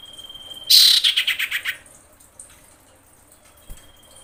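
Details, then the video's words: Female common iora in breeding condition, calling to the male: one loud, fast, dry chattering burst of about ten high, harsh notes lasting roughly a second, then quiet with a faint steady high whistle in the background. "KICAU CIPOW BETINA BIRAHI MEMANGGIL JANTAN"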